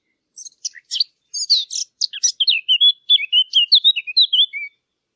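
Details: Bird chirping that begins with a few buzzy, scratchy notes and settles into a quick series of clear, whistled tweets lasting about four seconds, with nothing else heard.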